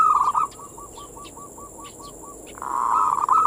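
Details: Zebra dove singing, used as a lure to stimulate other doves: a steady train of soft, evenly spaced cooing notes over background rustle, ending in a louder, sustained warbled phrase, with faint chirps from other birds.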